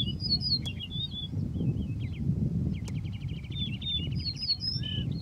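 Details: Singing male Yellow-breasted Bunting giving clear, fluty whistles that slide up and down, broken by a fast dry trill of repeated notes midway, over constant low background rumble.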